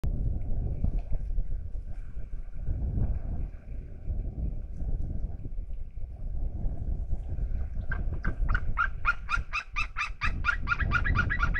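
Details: Two eagles calling out of view in Estonia on 27 August 2021: after a stretch of low wind and water rumble, a fast series of loud, sharp yelping notes begins and keeps repeating quickly to the end.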